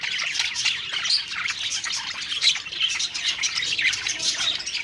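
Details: Budgerigars, several birds, singing contentedly as they eat; a thick, unbroken blend of warbles, chirps and scratchy squawks from many overlapping voices.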